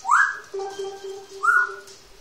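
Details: One-year-old grey parrot kept as a household pet gives two clear whistled notes a second apart, each sweeping upward and then levelling off, over a steady low hum in the room.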